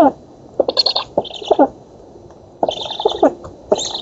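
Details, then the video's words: Nestling black storks at an oak nest in Poland, fed on 11 August 2017 before a nest camera, make choppy clicking rattles and brief rough hisses in two clusters, with a quiet spell between. "Bociany czarne z Polski (dąb) 2017 08 11 Karmienie"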